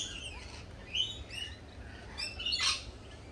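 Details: Lorikeets at a cafe call in high, whistled chirps that slide and waver, ending with a loud screechy burst, low hum behind.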